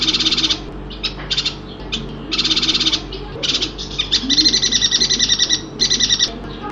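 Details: Singing yuhina, Kalimantan: dense, grating, high-pitched buzzes in quick bursts, then a longer pulsing buzzy trill near the end, with a faint low hum behind.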